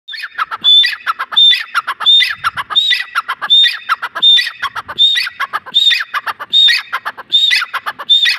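A grey francolin gives loud, harsh, ringing phrases, repeated about every three-quarters of a second, with a short whistled note in each phrase.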